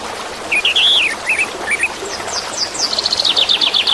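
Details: Orange-headed thrush song played as therapy for caged birds that have stopped singing, with water sounds: varied whistled phrases, slurred and rising, then a fast run of high repeated notes, over steady rushing water.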